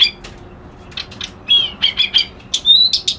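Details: Reed warbler (kerak basi alis putih) singing a mix of scratchy chips and clear, short whistled notes that are sometimes slurred, in a jerky stop-start rhythm.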